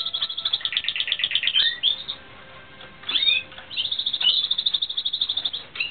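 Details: During 2016 training a Timbrado Espanhol canary sings quick chattering trills of high clipped notes, with downward-curving whistles in the middle, then a renewed fast rolling sequence.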